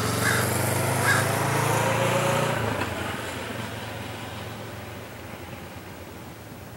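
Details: A low engine drone, like a passing motorcycle, fades out after about three seconds, leaving steady outdoor background noise.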